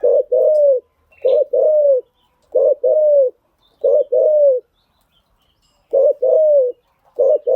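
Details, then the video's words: Decoy cooing of a spotted dove used to train newly caught birds: steady paired notes, a brief coo then a longer falling one, repeated six times about every 1.3 seconds in a quiet setting. "tiếng chim gáy dùng tập chim bổi mới hiệu quả"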